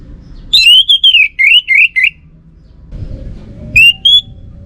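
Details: Orange-headed thrush singing a loud, clear whistled song: a run of rising and falling warbled phrases for about a second and a half, a short pause, then two more whistled notes. Faint low background hum throughout.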